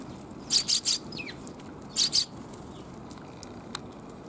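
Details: Back-alley sparrows, 28 January 2022, on the way out: a burst of three rapid high chirps, a short gap, then two more, followed by quiet with a few faint clicks.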